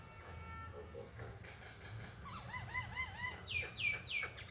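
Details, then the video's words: Indian myna (Acridotheres tristis), one of a pair visiting a window, singing after rain: quiet mixed notes, then a run of wavering, bubbling whistled phrases and a few louder sharp calls at the end. "Indian Myna (Acridotheres tristis), singing & chirping after Rain."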